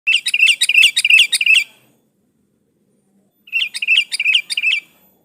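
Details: Sooty-headed bulbul in full song, used to call a rival and provoke an answer: two bursts of rapid, bubbly chirped notes, about eight to a burst, separated by a silent pause.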